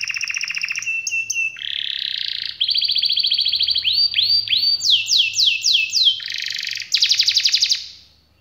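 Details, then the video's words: Canary song with changing phrases: low buzzy trills, a rapid mid-pitched rattle, a burst of descending sweeps, then a high fast trill before falling silent. "Kenari malas dan macet bunyi langsung nyaut,seketika dengar suara kenari gacor ngerol panjang ini"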